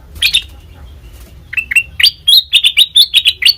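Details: Black-crested bulbul lure recording for trapping: two chirps at first, a pause, then an accelerating burst of clear, high, slurred chirps that grows steadily louder to the end.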